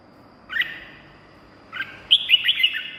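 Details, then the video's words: Red-whiskered bulbul singing, played to excite caged birds or draw in wild ones: two short whistled phrases, then a longer run of rapid bright notes in quick succession. "เสียงนกกรงหัวจุก สำหรับต่อ หรือ เปิดให้นกคึก เสียงเพราะๆ"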